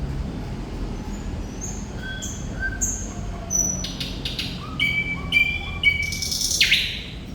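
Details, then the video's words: Thrush nightingale song: soft high whistles at first, then louder rattling bursts and a series of short clear whistled notes, ending in a harsh rasping phrase, with low background hum. "Sikatan Londo Thrush Nightingale Gacor"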